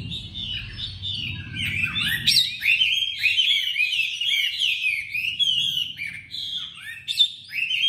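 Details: Newly arrived tame Chinese hwamei, caged in Hanoi, singing with a sharp voice: continuous loud stream of looping, slurred whistles and rapid trills, with a low hum in the background.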